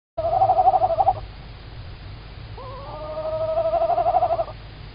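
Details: Female tawny owl calling very close in Estonia on an evening in March 2019, filmed by a live camera: a one-second wavering, pulsing call, then a longer, steadier nasal call that starts with a slight upward slur, over a low background hum.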